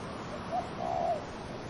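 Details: One dove coo phrase set against wind: a short hooting note, a pause, then a longer, smoothly arched coo, all low and mellow.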